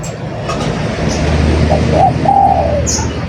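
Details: Spotted dove coo phrase late in the recording: short notes then a longer coo trailing downward, somewhat soft against low rumbling background and a brief high chirp.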